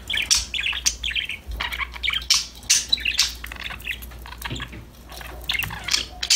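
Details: A group of pet parakeets singing and talking together: scratchy, buzzy warbling phrases mixed with sharp squeaks, coming in rapid bursts about every half second, with a low background hum.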